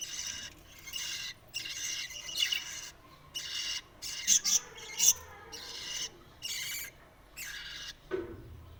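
Budgerigar chicks give harsh, raspy begging calls in quick repeated bursts while being fed.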